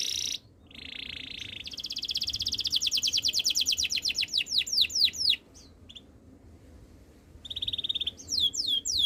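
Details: Canary song opening with a low rolling trill that rises into a long accelerating series of sharp high notes ending in downward sweeps, a pause, then further whistled phrases.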